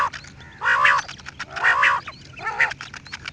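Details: Quail giving three drawn-out, nasal, croaky squawks about a second apart over a steady background hiss.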